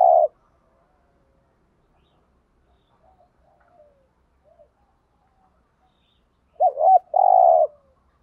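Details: Spotted dove cooing to stimulate other doves, in the thúc gù and gáy gọi styles: a loud hoarse coo opens, then after a quiet gap a quick doubled note runs into a long buzzy coo near the end.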